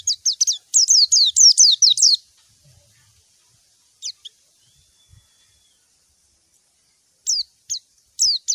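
A white-eye calls to a rival with a quick burst of high, thin, downslurred chirps, then scattered single notes with short pauses between.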